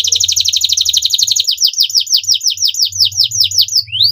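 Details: Canary song used as a stimulus for a stressed canary, made of short phrases: fast buzzy trill of rapid repeated notes that slows into sweeping downslurred whistles, about three per second, ending on a rising note.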